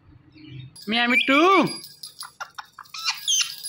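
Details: Indian ringneck parakeet mimicking speech, saying "Mitthu": two strong arched, voice-like syllables followed by quick clicky chatter and short high chirps.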